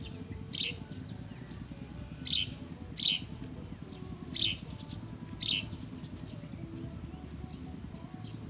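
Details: Baby house sparrow in the nest: bursts of high, scratchy chirps every second or so, some louder and harsher, with faint higher peeps between them over low background noise.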